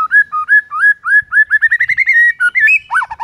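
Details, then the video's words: Morning song of a White-rumped shama in the 'hitungan detik' style that stirs up rival males: loud whistled upslurs repeated in a steady, accelerating series, then a few varied swooping notes at the close. "HITUNGAN DETIK DI PAGI HARI BIKIN MURAI LAWAN AUTO NAIK EMOSI SEKETIKA"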